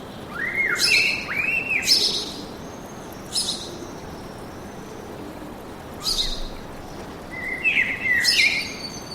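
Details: Woodland birds singing: two rising whistled notes near the start, then spaced bursts of sharp high chirps and a brief twittering phrase at the end, separated by quiet gaps.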